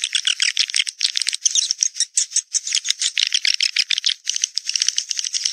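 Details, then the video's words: Lure call of swiftlets, Naga Merah style, meant to bring swiftlets to the nest site: fast, shrill chattering chirps in dense pulsing bursts, sounding almost like a rattle. "Suara Burung Wallet Naga Merah"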